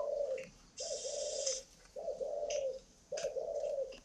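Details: Spotted dove, described as large-bodied like a pigeon and with an exceptionally warm voice, giving low, hoarse, rolling coos, each under a second, repeated about once a second, with faint high chirps from other birds.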